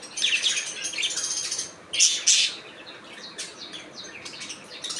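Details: Budgies in a steady warbling chatter of rapid, rasping chirps, broken by two sharper, louder calls.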